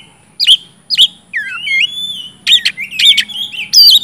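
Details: Oriental magpie-robin song for prompting silent birds: two sharp chips, a smooth upward-gliding whistle, then a burst of rapid buzzy, warbled notes.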